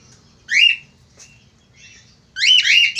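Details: A male Australian finch giving a single harsh squawk sliding downward, a brief pause, then a louder, longer buzzy burst of overlapping nasal notes.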